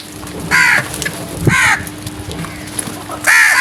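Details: Early-morning crows giving loud, harsh caws, three separate drawn-out calls spaced about a second apart against a constant low electrical-sounding hum.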